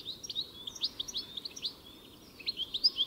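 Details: European goldfinch twittering: quick, bright, high chirps in a rapid string, a brief lull, then another burst of sharp notes.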